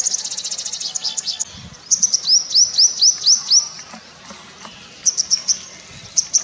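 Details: Purple sunbird (Cinnyris asiaticus) courtship song: a very high, fast, thin trill, then about six sharp rising notes in quick succession, and brief high chips.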